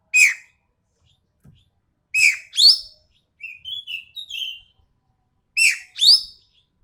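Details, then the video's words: Harsh, sharp ekek keling from Sumatra: pairs of loud rasping notes, falling then rising, separated by a run of softer, quick chattering notes, with nothing else audible. "MASTERAN BURUNG EKEK KELING SUMATERA SUARA TAJAM DAN KASAR"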